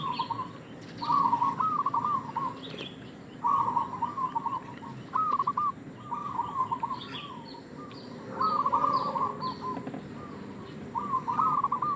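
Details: Repeated rolling coo phrases from a local zebra dove used as a lure call, each a quick stutter of notes closing with a brighter accent; faint high chirping of other birds and background hiss.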